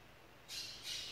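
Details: Tooth-billed bowerbird in North Queensland rainforest giving two harsh, hissing rasps in quick succession, high-pitched and scratchy, against a quiet background.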